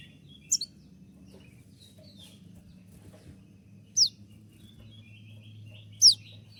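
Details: Konin singing while moulting, giving three isolated piercing downslurred 'tembakan' shots separated by long pauses over quiet low background hum.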